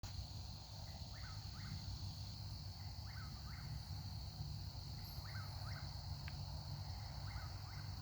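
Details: At night in a southern forest, an Eastern Whip-poor-will calls from across the trees, repeating its rolling three-part whistle about every one and a half seconds over steady night insects and a low background rumble.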